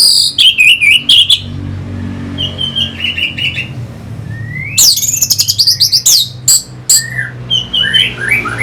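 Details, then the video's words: Lure song of an Orange-headed thrush, North Bali, used to stir other birds into singing: rapid mixed phrases of sharp high slurred whistles, scratchy trills and bursts of clicks, loud and varied, over a steady low background hum. "Pasti NYaut dan Teler Pancingan SUara ANIS MERAH Pembangkit Figther Burung"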